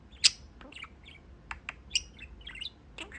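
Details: Caged pet budgerigar sitting at its window perch and chatting with its owners; scattered sharp squawks and bright chirps separated by short pauses, one loud harsh note near the start.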